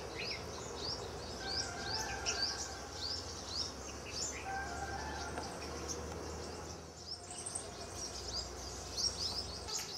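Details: In a garden in Bhopal in spring, a sunbird gives high, sharp chirps and thin twittering notes in quick irregular bursts, over a steady low hum and faint softer calls from other birds.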